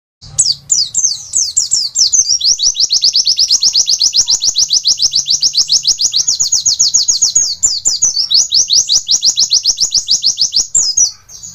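A white-eye pours out an unbroken, high, rapid stream of thin twittering notes for over ten seconds, barely pausing. Little else is heard.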